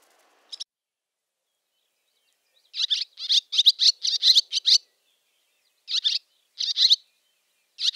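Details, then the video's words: A barn swallow's chatter call: after a lone chirp and a quiet gap, a dense run of high twittering notes, then spaced pairs of chirps closing out the stretch. "Barn Swallow ? | Voice & Sounds | Chatter call"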